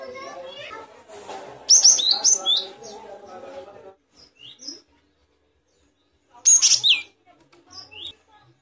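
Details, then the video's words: Great tit (gelatik batu) giving short bursts of high, sharp chirping notes in two spells, with a child's voice talking underneath the first burst. "Suara burung gelatik batu"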